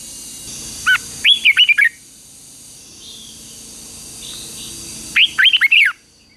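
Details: Morning training song of a red-whiskered bulbul in fighting mood: an opening upward note then a burst of bright, tumbling whistles, repeated after about four seconds, under a constant high hiss.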